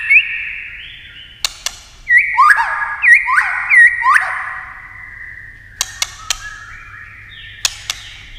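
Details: White-rumped shama singing in competition style, with several voices: clear whistled phrases near one pitch, some sliding down, broken by sharp click notes and brief pauses.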